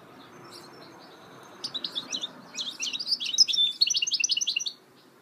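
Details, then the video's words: Goldfinch mule, 2018: after a quiet start with thin distant notes, the song builds into a fast, lively stream of high, chattering, trilled notes and then stops abruptly. "Chant mulet chardonneret تغريد هجين الحسون"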